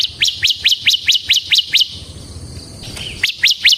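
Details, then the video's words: Bar-winged prinia of the ciblek semi variety singing gacor ngebren, meant to lure and tutor other ciblek: seven quick rising chirps in steady succession, a brief pause with a soft slurred note, then three more chirps. "suara burung CIBLEK SEMI GACOR Ngebren"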